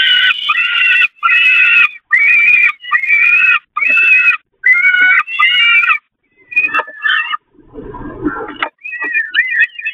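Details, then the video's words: Peregrine falcon young begging during a feeding on the nest grating at the Catharinakerk, 11 May 2021: a run of loud, harsh, drawn-out wailing cries about once a second, then shorter broken cries mixed with low scuffling noise. "Slechtvalken Catharinakerk, Voedering op het rooster"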